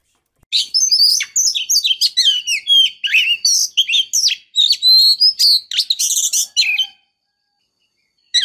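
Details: Female white-rumped shama calling to lure and arouse a male: a dense, fast run of high chirps, trills and whistled slurs lasting about six seconds, then silence.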